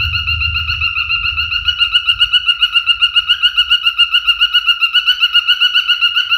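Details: Singing male cockatiel gives a steady, quickly pulsing warbled whistle, about four beats a second, held on one pitch for several seconds, with a low rumble in the background at the start.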